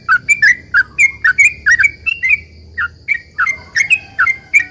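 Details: Sooty-headed bulbul giving a long, continuous lure song to draw replies from other bulbuls: a steady stream of clear, slurred chirps, some rising and some dropping, about three per second over a quiet low hum.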